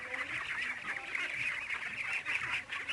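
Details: A flock of about 600 two-month-old domestic ducks on a duck farm in San Agustin quacks all at once, a dense, continuous nasal chatter with no pauses, while a person speaks faintly underneath.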